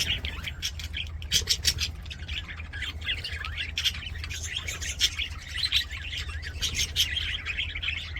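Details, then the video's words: Budgies singing while playing in an aviary, a dense, continuous chatter of rapid chirps, clicks and scratchy warbles from several birds, with a constant low hum beneath. "BUDGIES SINGING PLAYING"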